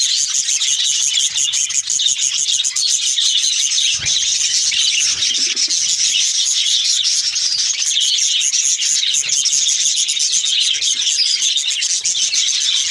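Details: A group of budgerigars kept at home chatters nonstop at night in winter, in a dense mix of high chirps, squeaks and warbles.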